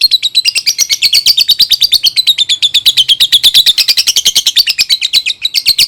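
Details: Lovebird song used as a model to teach young birds to sing: a long rapid chattering twitter of repeated high buzzy notes, about three per second, wavering up and down in pitch throughout.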